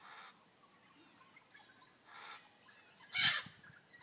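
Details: Australian ringnecks at a birdbath in Araluen, Roleystone, give three short, harsh, raspy calls spread over a few seconds, the last loudest, possibly mixed with splashing water.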